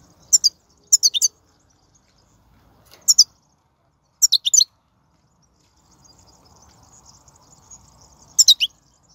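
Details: Wild goldfinch batbata recorded in 2019: short clipped chirps in pairs and triplets, repeated in bursts every second or two, with quiet gaps and a faint steady hum in the middle section.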